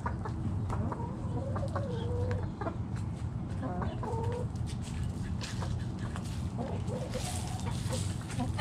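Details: Backyard chicken flock foraging in the morning, several soft clucks and short rising calls over a steady low rumble of background noise, with scattered scratching and clicking sounds.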